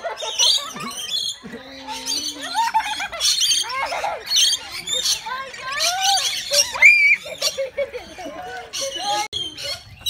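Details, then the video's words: Rainbow lorikeet at Longleat Safari Park in 2017, unhappy at having its feathers touched by a child while being fed: harsh, screechy squawks in short bursts, mixed with the child's voice and background music. "Rainbow Lorikeet doesn't like to be touched. Great reaction."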